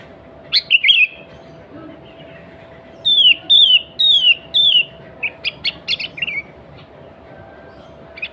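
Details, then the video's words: Sooty-headed bulbul song used as a lure to call other bulbuls: short bubbly phrases, then a series of four clear downslurred whistles about half a second apart, followed by brief chattering notes, over a steady low hum. "Kutilang Gacor Suara Asli Tanpa Isian, Sangat Cocok Untuk Pancingan Kutilang Bahan Dan Ombyokan."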